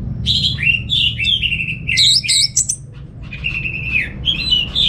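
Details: From North Bali, Singaraja, a kept orange-headed thrush delivers receh-style song. Warbled, wavering phrases and rising slurs flow almost without a break, with a soft low hum underneath.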